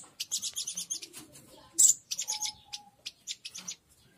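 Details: A local Oriental white-eye calls aggressively, a lure for wild birds: dense runs of shrill high chirps, one loud peak near the middle, then stuttering repeats, with a faint flat whistle beneath.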